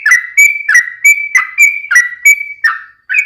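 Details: Yellow-vented bulbul singing loudly as a lure for other bulbuls: clear whistled notes alternating between short downslurred chirps and level whistles, about three per second.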